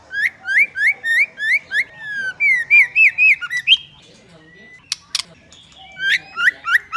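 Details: Female white-rumped shama stimulating males: a long chain of loud upswept whistles repeated about three or four per second, a pause with a few sharp clicks and a soft note, then the whistles resume.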